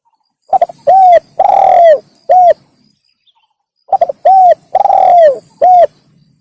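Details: Spotted dove call to entice wild doves: two three-part phrases of a stuttered coo, a long falling rolling coo and a short end note, repeated after a two-second gap, close and loud with a faint low hum.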